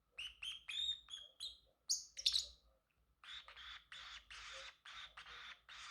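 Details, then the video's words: Male pet Pacific parrotlet chirping and singing: a run of short high chirps with bright harmonics, then a pause and a series of broader buzzy harsh notes repeated about twice a second. "Parrotlet Talking ✨️ Cute Funny Sounds"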